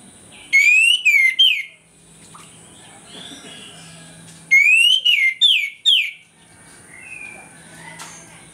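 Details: Orange-headed thrush singing its loud open 'ngeplong' morning song, used as a lure to make other orange-headed thrushes aggressive; two bursts of loud, rising, clear whistles with quick slurred notes, separated by a few quiet seconds.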